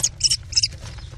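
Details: Four American kestrel nestlings in a nest box scream for food as their mother arrives with prey, June 2019; three harsh, piercing high screeches come in quick succession, with a low hum underneath.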